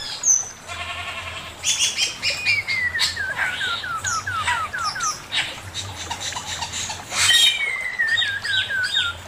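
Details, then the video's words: Master song of a male Chinese hwamei: a long descending series of quick whistled slurs, repeated about twice a second, framed by loud harsh squawking bursts and a sharp whistle at the start. "Burung poksay mandarin suara masteran Poksay mandarin jantan"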